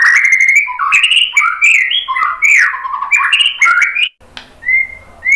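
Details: White-rumped shama song, a rich, fast medley of loud whistled notes jumping up and down with harsh squawky bits, about four seconds, then a brief gap, a faint low hum and a single clear whistle.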